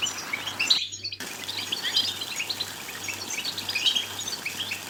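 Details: European goldfinch twittering song, played to stimulate goldfinches to sing and mate: rapid high, bright chirps and trills running continuously, with a steady low electrical hum beneath and a brief silent dropout near the start.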